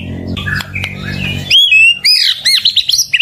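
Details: White-rumped shama (murai batu) song used to stir rival birds: soft, muffled notes over a low hum give way to loud, ringing whistles and a fast string of arched chirping notes.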